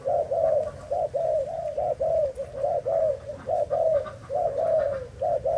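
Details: Spotted dove from Thailand cooing in a steady run of short, rounded low notes, each phrase slightly rising then falling, repeated about once a second with little pause and faint background hiss.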